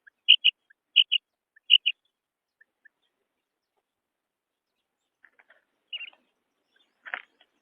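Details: Female quail: three crisp double chirps in quick succession, then a pause with faint short notes and a rustling click near the end.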